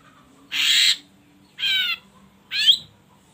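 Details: Ashy drongo sounds used to spur other birds into song: three separated grating, squawky notes about a second apart, the last bending upward into a brief whistle, over a faint steady low hum.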